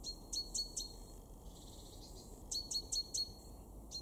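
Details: February 2023 great tit in a garden at Weener, East Frisia, Germany: crisp, ringing high notes in groups of three or four, a brief gap, then another quick run of the same notes.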